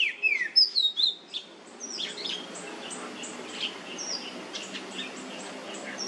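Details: Oriental magpie-robin (kacer) song used as a lure recording to prompt other males to sing: an opening burst of loud whistled, sliding notes, then softer varied chirps over a background hiss.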